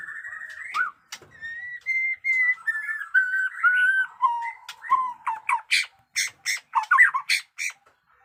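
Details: Captive white-rumped shama singing drawn-out clear whistles that step downward in pitch, followed by a rapid series of sharp, clicking, broadband notes repeated about twice a second.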